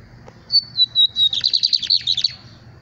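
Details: Lined seedeater capiroto song: a few high, clean whistles drop slightly in pitch, then break into a long, quick trill of buzzy pulses that fades at the end. Low hum in background.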